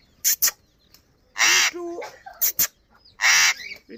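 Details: Alexandrine parakeet, called Kashmiri tota, talking: short harsh bursts with a mimicked word, alternating with brief high clicks.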